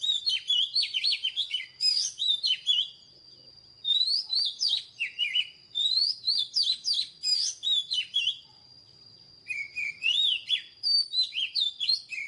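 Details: Newly caught white-rumped shama, a bird being trained to sing, pouring out a rapid, dense song of twittering, whistled and chattering notes in long bursts with brief pauses, over a steady thin high tone.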